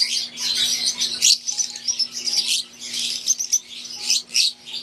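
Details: Many Fischer's lovebirds, green wild-type plus Euwing, chattering in an aviary: bright, piercing chirps overlap in waves, with a brief lull near the middle and a faint electrical hum throughout.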